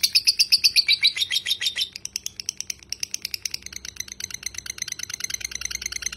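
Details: Lovebird giving a long ngekek chatter, recorded as a tutor track: fast buzzy notes about four per second, loud and slightly falling for two seconds, then a softer, denser trill that runs on steadily.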